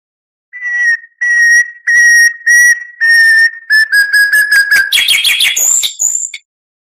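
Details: Oriental magpie-robin (kacer) singing a full-material song; six evenly spaced pure whistles on one pitch, then quickening chattering notes ending in high sweeping whistles.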